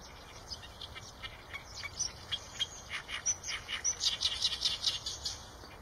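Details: Eurasian tree sparrow chirps: sparse and quiet at the start, building into a lively run of quick, high chirps in the second half.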